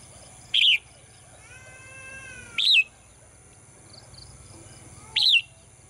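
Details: Female bird singing in a cage in the morning: three high, arched chirps about every two and a half seconds, with a faint steady whistled tone between the first two.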